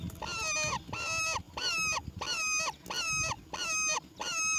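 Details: Begging from a roller chick as its mother delivers black crickets: seven evenly spaced, buzzy, harmonic calls with flat tops that drop at the end, one about every 0.65 seconds, over faint low background noise.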